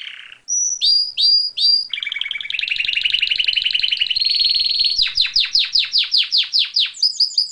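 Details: Canary singing a continuous varied song: high whistled notes, fast buzzy trills and rolling tours, then a series of repeated sharp downward-sweeping notes about three per second.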